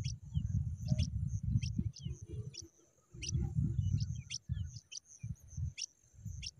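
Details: Begging pipit chicks give thin, high chips repeated irregularly, roughly three per second, with pauses, against a low rumbling background.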